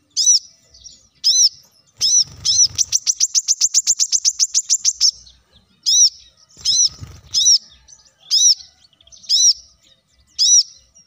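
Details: Plain-throated sunbird in vigorous gacor song, a lure to make leafbirds sing. Repeated arched high notes surround a rapid even trill of about fifteen chirps, then the single notes resume about once a second.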